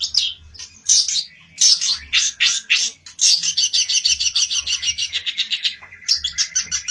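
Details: Olive-backed tailorbird (pelentet) in an agitated state, seeking a rival, pouring out dense high chattering that turns into a long rapid trill of clipped notes, followed by a brief burst of quick chips.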